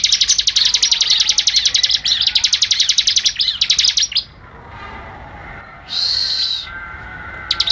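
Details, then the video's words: ['A Bar-winged prinia song for training songbirds: four seconds of rapid, shrill, repeated notes, then quiet with one harsher buzzy burst and a final short chip.'] "SUARA BURUNG CIBLEK"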